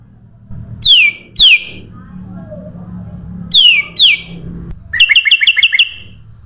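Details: Sooty-headed bulbul used as a bird lure: pairs of clear, downward-sliding whistles, then a quick rattle of about six short chips, over faint low background hum.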